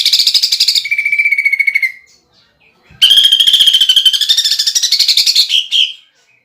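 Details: Greater green leafbird in 'gacor' song with woodpecker-imitation filling for competitions: a long fast pulsing trill that drops to a lower steady trill, a pause, then a rough buzzy burst that rises and flutters.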